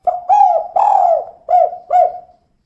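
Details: Female spotted dove giving a rhythmic 'kuk' coo: five rounded, mellow notes in under two and a half seconds, the middle one longest, with short gaps between.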